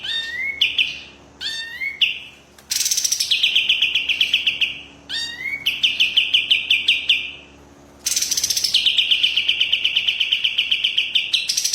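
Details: Caged white-rumped shama singing loud phrases: rising whistled notes leading into long buzzy rapid trills, repeated in bursts separated by short pauses.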